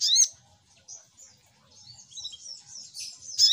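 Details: Little spiderhunter lure call, a sharp down-slurred chip, then thin high twittering notes and another loud chip at the end.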